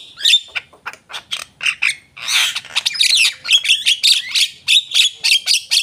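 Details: Javan myna singing energetically: a run of harsh, squawky chattering notes mixed with short high whistles, delivered in quick bursts with a brief dense rasping stretch midway.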